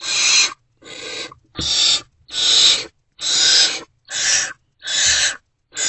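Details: Barn owls in a nest box before dawn, 28 February 2024, as food keeps being delivered; loud rasping hisses come in even bursts about once a second, each breathy and noisy, with short silences between.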